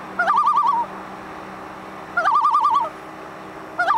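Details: Common loon calling on Little Bass Lake in Grand Rapids, Minnesota, on 27 July 2012: two fast, yodel-like wavering phrases about two seconds apart, with a third just beginning, above a faint constant hum.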